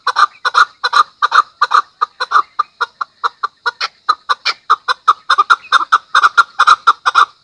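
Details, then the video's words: Loud, continuous chukar calling: throaty clucking chuck notes repeated quickly and almost evenly for seven seconds, sometimes doubled, with no pause. "chakor ki awaz | keklik sesi | voice of chakor"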